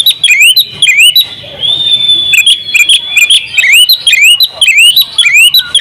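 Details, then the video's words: Kacer (oriental magpie-robin), a champion bird singing full isian, ngobra style. Repeated rising whistled sweeps give way to a long, steady high whistle in the middle, then the sweeps resume. "masteran kacer juara buka paruh full isian ngobra"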